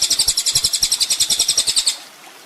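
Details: Brief high, rapid, buzzy trill from a ninja sunbird on a master recording for training songbirds, lasting about two seconds before fading out.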